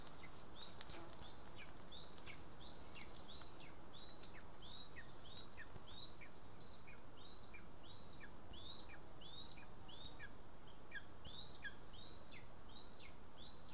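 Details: {'caption': 'Lesser spotted eagle on its nest in Estonia, 2 August 2020, a day with 13 voles delivered. Long run of high, thin, rising-and-falling whistles repeated about every 0.7 seconds, steady throughout over a quiet hiss.'}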